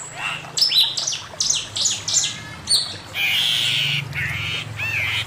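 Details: Male Chinese hwamei master song: a series of quick high sweeping notes followed by a longer harsh buzzy phrase and a final upslurred whistle, over low hum.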